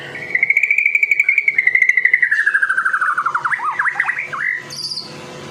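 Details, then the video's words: White-rumped shama from Medan singing energetically, used as a lure for other shamas: a long run of rapid pulsed notes gliding slowly downward, ending in looping warbled phrases and a brief high note. "murai batu Medan. gacor door . cocok buat pancingan burung murai batu lain nya."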